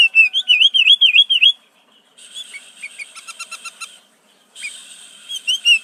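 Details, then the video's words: Sooty-headed bulbul whose song carries borrowed prenjak, cucak ijo, cucak rowo and murai phrases: quick wavering V-shaped whistles repeated rapidly, a short gap, then dense high chattering trills, a pause, and more rippling notes. "Burung kutilang isian prenjak cucak ijo cucak rowo murai"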